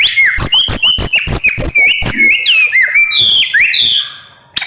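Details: White-rumped shama delivering a fiery 'nembak' song: rapid, loud whistled notes with bright overtones, each slurring up or down, mixed with sharp clicking snaps about three to four per second, ending in a brief pause and one final click.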